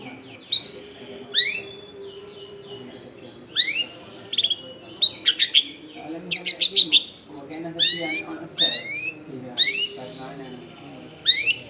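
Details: Long-tailed shrike singing a varied lure song for attracting wild shrikes, recorded in a dense residential area: sweeping, rising and falling whistles mixed with a quick run of staccato chatter near the middle.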